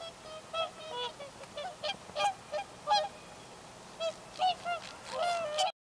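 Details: A Whooper swan, grazing with bean geese, jerks its head up and down before taking off: loud, brassy trumpeting honks, several overlapping in irregular bursts, rising to a fuller chorus near the end.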